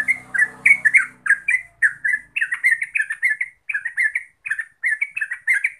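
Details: Yellow-vented bulbul, called terucuk, in rapid 'gacor ropel' song: chattering bubbly notes in loose groups, with low rumbling noise fading out in the first seconds.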